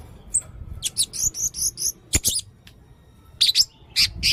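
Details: Blue-crowned hanging parrot, red-necked form, in very active song: piercing, very high chirps in quick clusters, with one sharp click midway.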